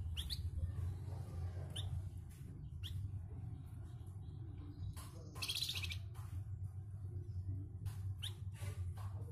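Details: Flamboyan kept as a master bird to tutor competition songbirds, with a rough voice: short sharp chirps scattered through the clip and a harsh buzzy burst in the middle, over a steady low hum.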